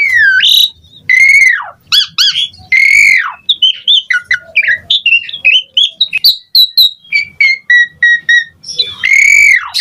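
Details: Asian pied starling in varied song from a recording meant to get other starlings singing; loud sweeping whistles dipping and rising, harsh buzzy notes, then a long string of short chirps and clipped whistles.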